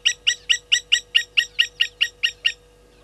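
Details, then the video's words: Sharp tink-tink alarm notes from Blacksmith lapwings upset by a slender mongoose at a South African waterhole, Gowrie dam in Djuma Game Reserve, Sabi Sand, late morning 30 July 2020: twelve evenly spaced metallic clicks over two and a half seconds, then quiet. "Slender Mongoose upsetting Blacksmith Lapwings"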